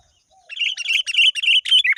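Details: Sooty-headed bulbul calling a rival with a fast continuous run of bright chirping notes, repeated rapidly for over a second and ending in a lower twisting note.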